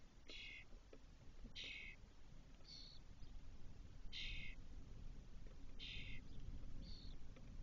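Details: Spotless starling nestlings, Doñana, Spain, spring 2023, the eldest having returned to the cork-oak nest box four hours after fledging. Six coarse hissing rasps, some shorter and higher, spaced one to two seconds apart, over background rumble.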